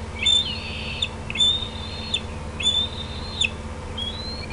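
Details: Bald eagles at the Decorah nest, June 18, 2016, 8:48 PM, as a parent lands on an outer branch and juveniles gather; four high, slurred, whistled calls, each about a second apart, over a constant low hum.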